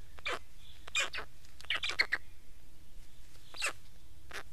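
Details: Black stork: a run of short, harsh, wheezy broadband bursts in irregular clusters, some doubled, with quiet gaps between and a steady low background hum.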